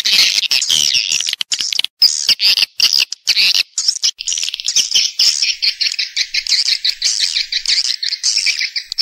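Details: Sound used to lure swiftlets into houses so the flock grows and nests quickly: busy high twittering at the start, settling into a fast, even series of short clicking chirps.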